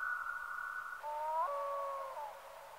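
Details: Black-throated loon giving one long mournful wail, held steady for a second, then breaking into a lower two-part tone that slowly fades, with faint low rumble beneath.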